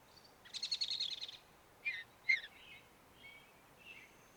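A mountain bluebird gives a quick, high chattering trill, then four or five soft, separate chirps spaced about half a second apart. A faint background hiss runs throughout.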